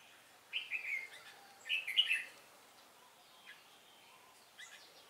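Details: Red-whiskered bulbul decoy singing a fighting song while being used for trapping, December 10, 2016: two short, bubbly chirping phrases, fairly distant, then faint scattered notes in quiet outdoor air.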